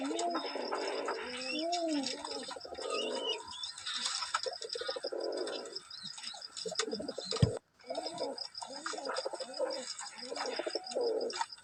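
Pigeons coo in soft, low, rolling phrases that rise and fall, repeated over and over.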